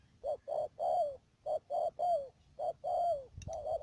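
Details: Spotted dove kept as a decoy bird for trapping at Mương Điều, Đầm Dơi, Cà Mau, recorded 12 March 2019; soft hollow coos in short groups, each phrase ending in a longer drawn-out note that slides down, with brief gaps between groups.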